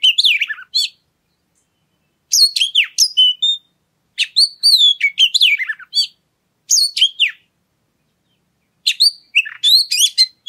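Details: Bursts of high, varied oriental magpie-robin song, rapid twisting whistles and chips, in four phrases separated by silent gaps of about a second; played to provoke other birds to sing.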